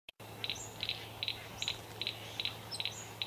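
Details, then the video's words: Satin Bowerbird displaying at its bower in a country garden in Victoria, Australia, on 25 July 2024; dry, doubled buzzy ticks repeat about every 0.4 seconds, with faint high whistles above and a low steady hum. "Satin Bowerbird displaying at bower"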